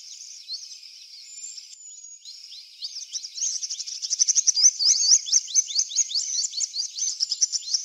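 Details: In a backyard, a purple sunbird in eclipse plumage opens with soft, thin high notes and a drawn-out whistle, then breaks into fast, loud, sharp twittering that runs to the end.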